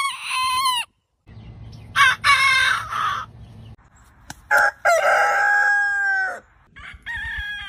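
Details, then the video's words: Morning crowing of a domestic rooster: overlapping crows, some hoarse and noisy, one a clear long held note that falls at the end. A low hum runs between the crows. "Morning Rooster Crowing Sound Effect Compilation - Suara Ayam Berkokok Panjang"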